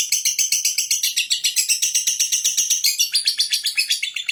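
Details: Lovebird singing in the ngekek style: a fast, steady chattering trill of shrill, buzzy notes, about four per second, running without a break and shifting slightly in tone near the end.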